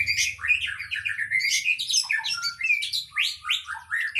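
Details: Long-tailed shrike (cendet), kept in the songbird hobby, sings a fast, varied stream of chattering and whistled phrases packed with mimicked notes (isian). The short rising and falling notes tumble one after another with barely a pause.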